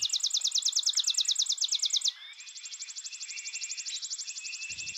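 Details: Chipping Sparrow trills in a comparison of song dialects and neighborhoods differing in speed and intensity: a dry, slower chip-trill of about twenty notes, then a second, much faster and fainter buzzy trill from another bird.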